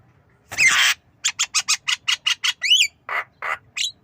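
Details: Javan myna learning to cough, with nodding: one loud coarse wheeze, then rapid evenly spaced sharp clicks, a fast zigzag whistled flourish, and two lower hoarse rasping notes before a final short call.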